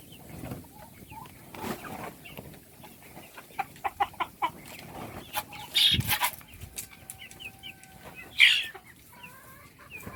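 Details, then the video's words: Chicks being fed: scattered high, thin peeps, each a quick downward-bending note, with two louder shrill chirps and bursts of knocking and rustling. "صوت الدجاج // little chickens chirping SOUNDS"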